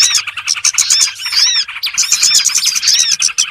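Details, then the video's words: Small birds in a trapping lure recording: loud, crowded chirping with a few clear, downward-curving whistled notes rising above the rapid twittering. "SUARA PIKAT BURUNG BURCIL ANDALAN SANGAT AMPUH"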